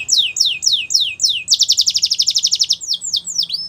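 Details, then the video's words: Belgian canary in full song: a series of repeated descending whistled sweeps, about four per second, then a rapid rolling high trill and a few closing downslurred notes, loud and clear over quiet background. "Belgian Canary Song"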